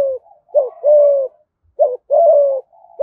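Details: Spotted dove from Đồng Nai, Vietnam, performing 'thúc gù' cooing in 'giọng thổ' style; a short dipping coo runs into a long, even, low coo, and the phrase repeats twice within a few seconds in a quiet setting.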